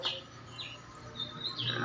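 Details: Wild-caught Horsfield's bush lark chick, hungry and being hand-fed crickets; short high chirps and slurred squeaky notes come in scattered bursts, with a faint steady low hum beneath.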